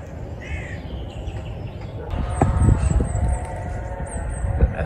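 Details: A couple of carrion crows (Corvus corone) give harsh, rough caws in a loose burst at Mill Road Cemetery in central Cambridge on an early February morning, with thin high notes from smaller birds and a low outdoor rumble underneath.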